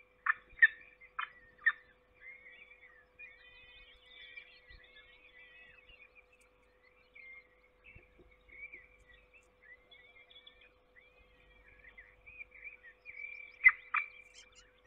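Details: Peregrine falcons calling at a forest nest in Trzebież during feeding, 7 May 2022. Sharp harsh cries open the passage, then softer chattering notes, with another loud outburst near the end and a constant electrical hum.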